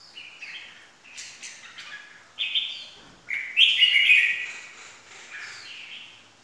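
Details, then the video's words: Red-whiskered bulbul used as a lure for trapping: softer, blurred whistled phrases rising and falling, the loudest burst near the middle, with a faint background hiss. "kích chào mào ché"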